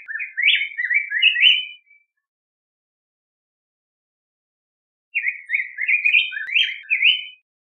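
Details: Two rich warbling phrases from a yellow grosbeak, each nearly two seconds of rapid, slurred whistled notes dipping and rising, separated by a few seconds of silence; clean recording with no background noise.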